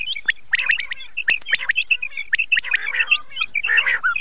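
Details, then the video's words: Calls of the common quail (battair) used as a hunting lure for Chand Raat. Dense runs of short, sharp whistles and upward flicks, with rougher, buzzier notes toward the end. "battair ki awaz"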